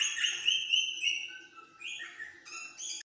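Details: Rosella whistling loud, clear drawn-out notes in a few bright tonal phrases that slide up and down in pitch, recorded close and clean over a faint hum, ending abruptly.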